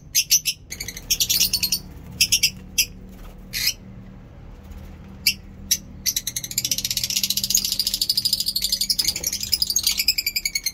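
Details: Pet lovebirds chirping in fine weather in Peshawar, Pakistan: harsh, buzzy bursts in scattered clusters, then a fast, steady train of sharp chirps in the second half, over a low indoor hum.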